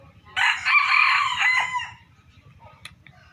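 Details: A young red-coloured Thai rooster, kept as a decoy bird, whose crow is said to resemble its yellowish father's, gives one loud, hoarse crow of about 1.5 seconds, rising then trailing off, followed by faint murmurs and a low hum.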